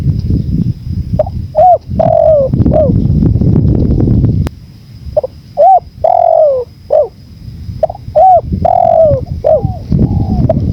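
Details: Spotted dove cooing in a recording prepared for training birds and relaxation, with wind: three repeated phrases of short notes and a long, gently falling mellow coo, separated by a quieter pause, over gusty low rumble.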